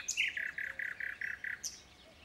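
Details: Common nightingale singing: a high thin note, then a string of seven even, rich mid-pitched notes repeated about five times a second, closed by another high thin note; quiet background.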